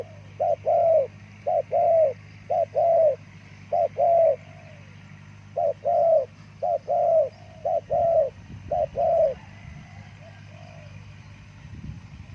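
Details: A spotted dove coos steadily, clipped double notes and longer downslurred coos repeated about once a second, the series fading out near the end amid faint low rumbling.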